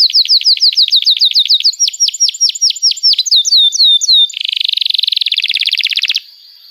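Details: Young-canary training song with a canary singing long and energetic: quick repeated high downslurred chirps about three per second, then a loud dense buzzing trill before fading.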